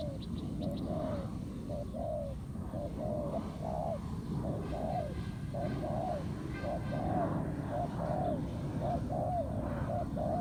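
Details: Spotted doves cooing during ground-decoy trapping, a wild bird matched against the decoy in a fight: low soft coo notes come in steady runs, roughly one per second, over a heavy low rumble.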